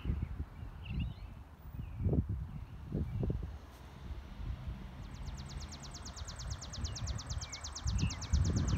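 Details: A sparrow sings: a few faint short chirps at first, then a long, quick, mechanical-sounding high trill begins about halfway through and continues, over loud low rustling and distant vehicle noise.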